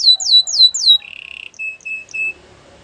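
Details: Canary gives three loud descending slurred notes, then a soft short trill and three clipped whistles.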